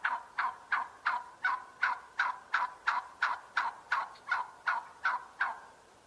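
A turkey gives a steady run of harsh, throaty notes, about three a second, each one loud then quickly fading. No other sounds stand out.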